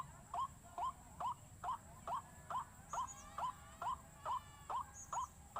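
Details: Lure sound of white-breasted waterhen for panicking waterhens: evenly spaced, hook-shaped mid-pitched notes, about a dozen in under six seconds, over a steady high hum.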